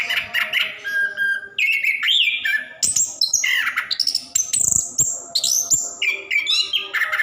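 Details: Singing orange-headed thrush, known locally as anis kembang, delivering a nonstop rolling song meant to prompt reluctant caged birds; varied whistled phrases, sliding notes and quick chattering bursts follow one another densely throughout.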